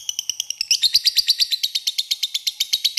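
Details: Long ngekek chattering from a lovebird, a lure meant to provoke a rival into answering: fast, clipped, high notes repeated steadily, about seven each second, throughout.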